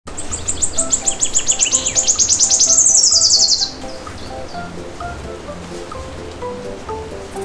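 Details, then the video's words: Colorful canary singing a rapid, very high trill of repeated notes that quickens into a buzzy, sliding flourish, then stops abruptly; soft background music of steady tones continues underneath. "Colorful Canary Bird"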